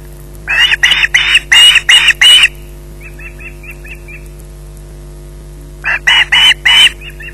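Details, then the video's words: At the Loch Garten nest in the evening, an osprey holding a fish screeches in loud, grating bursts. Softer, thinner chirps follow in a quick series between the harsh volleys. "Bynack screeching in possession"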